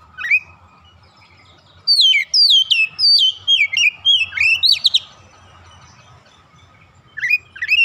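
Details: Oriental magpie-robin (kacer), a newly acquired bird, singing gacor-style with unloaded repertoire: a short whistle, then a lively chain of descending slurred whistles and sharp upsweeps, closing with a fresh burst.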